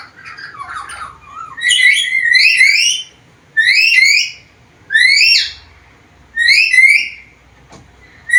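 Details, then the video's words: Black-capped lory, a vocal bird said to talk and make varied sounds, recorded as a tutor for other birds: a low warbling phrase, then four loud rising whistled calls with rich overtones, spaced about every one and a half seconds in a quiet room. "BURUNG NURI KEPALA HITAM GACOR BISA NGOMONG SUARA BERVARIASI"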